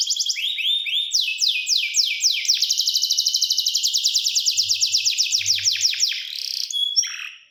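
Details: A singing canary runs through a few looping notes, then a long, evenly repeated series of descending whistled syllables, closing with a buzzy high flourish and a brief falling note.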